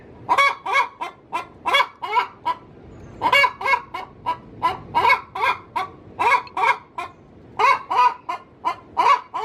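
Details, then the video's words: A hen cackling in her coop as she is about to lay an egg, a call used to lure male junglefowl: harsh, harmonic clucks in quick bursts of two to four, returning again and again without pause. "Suara asli ayam betina cocok untuk digunakan memanggil ayam hutan"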